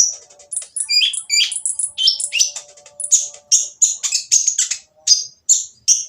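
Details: Loud oriental magpie-robin song, rough-voiced, meant to provoke others to sing: a rapid jumble of high whistles and buzzy notes, followed by repeated sharp, scratchy phrases roughly every third of a second.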